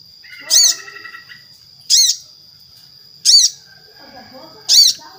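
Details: Crested Jay (sogon), a lively singer used as a lure to set other sogon singing, including young, spotted and silent birds. Four loud, harsh, arched notes sound about every 1.4 seconds over a steady high thin whine, with faint softer chatter between them.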